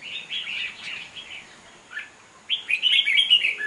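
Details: Red-whiskered bulbul, a wild-caught bird, sings at a bird-singing contest in Hoa Binh, Vietnam, giving quick warbling notes, a short lull, then a fast bright chattering phrase.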